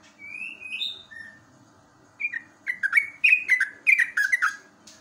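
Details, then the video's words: Yellow-vented bulbul singing trucukan ropelan for training caged birds, recorded live in the morning; a soft rising whistle opens, then a pause, then a rapid string of gurgling, downslurred notes. "JOGJOG/TRUCUK ROPELAN SAKTI"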